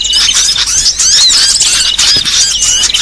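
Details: Mixed chatter of small birds played as a trapping lure meant to draw species like iora, konin and sogon: busy squeaky twittering and quick upward whistles layered thickly over one another, with no pause.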